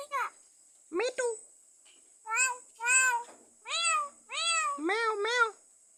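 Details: A pet myna, kept for four years, mimics a cat. It gives about seven convincing nasal meows in quick succession, each rising then falling, over a steady high hiss.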